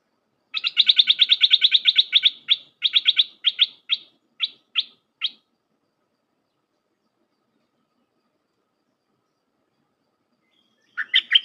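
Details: Red-whiskered bulbul, in a recording played to train hand-reared young birds, giving a rapid run of bright, clipped notes. The run slows into spaced chips, then falls silent before a brief burst returns at the end.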